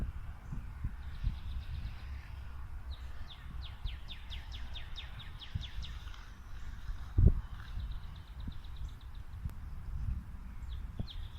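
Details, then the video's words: Female Northern cardinal singing: a run of clear, down-slurred whistled notes repeated rapidly in a series, then softer steady notes, over constant low rumbling background noise and one loud thump. "Female cardinal bird singing & chirping sounds"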